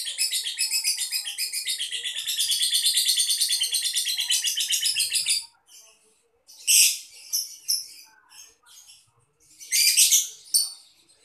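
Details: Cage lovebird from the Boyolali–Solo area, prized for its long ngedur trilling style; a dense, buzzy, rapid trill runs unbroken for over five seconds, followed by scattered sharp chirps and short harsh bursts.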